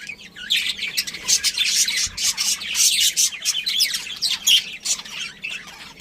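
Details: Chirping from a family of budgerigars around a breeding pair: bright, high, scratchy chatter in rapid overlapping bursts, steady throughout with no other clear sounds.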